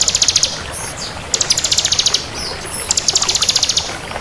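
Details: Crystal bar-winged prinia in lively song: three quick trills of high, evenly spaced ticks, each about a second long, with thin chips between them.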